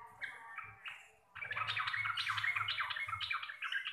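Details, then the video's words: Local Javanese sooty-headed bulbul in receh-style song with rolling ropel delivery: a short opening phrase, a pause, then a rapid run of harsh chattering notes, about three per second, strong and bright, with low hum beneath. "TRUCUKAN GACOR RECEH DURASI PANJANG"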